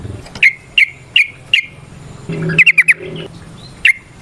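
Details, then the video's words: Sooty-headed bulbul in a cage, song played as a lure to make other bulbuls sing: four spaced sharp chirps, a hummy pause, a fast run of four notes, then one last chirp. "Suara Burung TRUCUKAN gacor ROPEL VARIASI NROTOK NGECUPLIK pancingan trucukan agar JADI trucuk GACOR"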